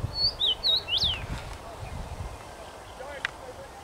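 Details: Common rosefinch singing in a tree on 23 May 2021; a short clear whistled phrase of four sliding notes at the start, then quiet with faint background sounds.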